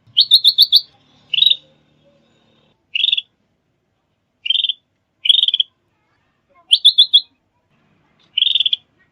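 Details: Sooty-headed bulbul lure call used for trapping and training: short bursts of rapid, buzzy, chattering notes, some in fast four-note runs, repeated about every one to two seconds against a quiet background.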